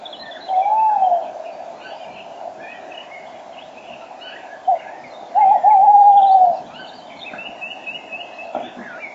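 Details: Male Tawny owl calling right beside the microphone in early spring, 06:34 on 5 March 2013. A short low hoot, a brief note, then a drawn-out quavering hoot. Many songbirds sing and chirp in the background of the dawn chorus.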